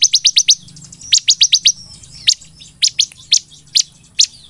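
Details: Bar-winged prinia, ciblek in local usage, in lively 'nembak belalang emas' song for training and provoking other ciblek: opening quick run of five piercing chips, another rapid series, then spaced single high chips.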